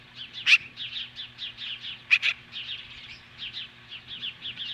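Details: At a Montana osprey nest in July 2015, an Osprey facing off magpies gives a running stream of quick, high, slurred chirps, punctuated twice by a single loud, harsh, sharp note.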